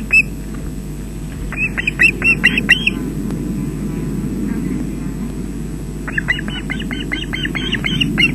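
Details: Wild osprey delivering fish to chicks at the nest, Loch Garten, Scotland, 20 June 2012, early afternoon, webcam: two bursts of quick, piercing whistled chirps, each burst of about six to eight notes, separated by a quiet gap, with constant low rumbling wind.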